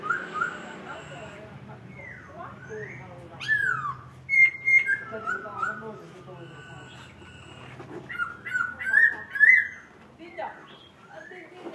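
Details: Laughingthrush from Vietnam singing in the wild forest-voice style: varied clear whistled phrases, some rising and some falling, with bursts of sharp upslurred notes between quieter pauses.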